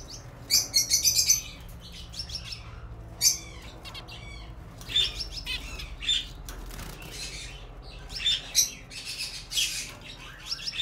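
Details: Zebra finches, recorded 6 December 2018, give short, nasal, buzzy beeps in quick clusters with brief pauses, over a steady background hum and wing flutter.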